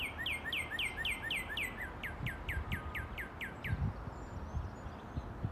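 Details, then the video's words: Early-morning song of a vibrant male Northern Cardinal, one of three pairs on a rural property. A run of fast, sliding two-part whistles gives way to about seven slower, evenly spaced downslurred notes, then stops. Faint low rumble behind. "Northern Cardinal Mating Call"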